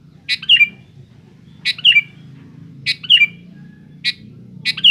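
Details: Sooty-headed bulbul singing loudly to challenge rivals: five short bubbly phrases roughly every 1.3 seconds, a crisp attack followed by a descending slur, above a low rumbling background hum.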